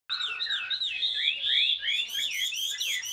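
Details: Caged Chinese hwamei, described as wild-caught, mature, blue-green plumage, kept two years in a cage, singing the ngũ trường style: a rich, fast run of slurred whistles that sweep up and down, growing busier with higher overtones toward the end.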